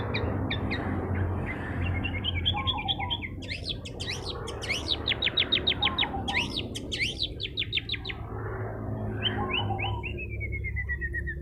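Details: Long-tailed shrike in full song to agitate rival birds: scratchy chatter leads into rapid bursts of steep rising sweeps and fast trills, then a descending whistled run. A soft lower warble recurs over steady low noise.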